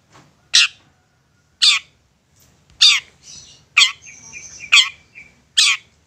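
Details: Persistent long-tailed shrike used as a lure to provoke other shrikes into answering: loud, harsh, buzzy broadband squawks repeated roughly once a second, some followed by a thin, drawn-out whistle, with quiet gaps between.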